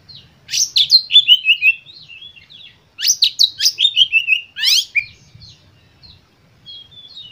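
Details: White-rumped shama song played to stimulate other shamas into singing; loud, rich whistled phrases with rapid descending sweeps and trills in bursts, separated by short pauses, recorded clean with little background.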